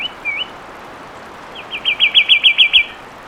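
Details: Song of a fulvous wren, opening with a brief slurred whistle, then after a pause a quick trill of about nine rhythmic whistled notes that grows louder.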